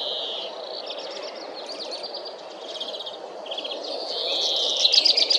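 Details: Black redstart delivering a run of high, buzzy, wavering notes that build into a loud, fast crackling rattle at the close, over soft background noise.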